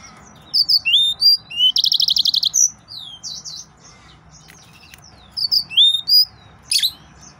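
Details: Male yellow-fronted canary in excited song, called Mozambique jasmine canary, giving upslurred whistles, then a fast buzzy rattle of evenly repeated notes, then looping slurs and a final high flourish.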